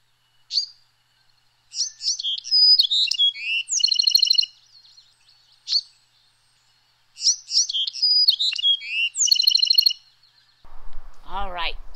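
Bewick's wren song: a quick jumble of high notes ending in a buzzy trill, given twice.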